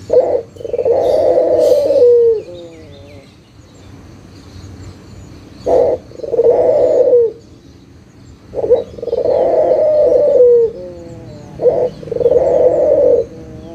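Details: Cooing of a local Barbary dove played to coax quiet doves back into song; four phrases, each a short burst then a drawn-out vibrating low coo, spaced a few seconds apart.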